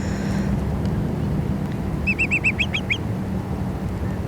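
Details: A Whimbrel at Malibu Lagoon, California, in June 2018 gives a quick run of about seven clear, whistled piping notes in under a second, the last few sliding upward, over a low surf-like rumble.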